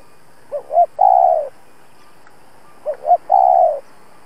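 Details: Spotted dove decoy cooing to draw out and challenge wild rivals, giving two identical phrases about two and a half seconds apart, each with two short notes leading into a long, loud, sinking coo.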